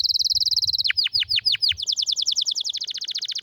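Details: Canary with a rare, strong training song: a rapid high trill, then several slow downward swoops, then a quick run of repeated chirps, over a faint low rumble.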